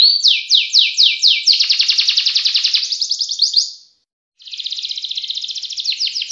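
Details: Canary delivering sustained "ngerek" style song: a series of falling high sweeps speeding into a dense rapid trill, a short silence, then another long even rolling trill ending in quick repeated notes.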